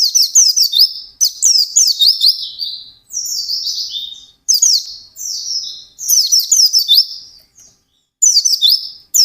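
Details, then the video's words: White-eye singing intensely in quick ngalas style, high excited twittering phrases alternating with smoother slurred whistles, separated by brief gaps. "SUARA BURUNG PLECI GACOR NGALAS CEPAT"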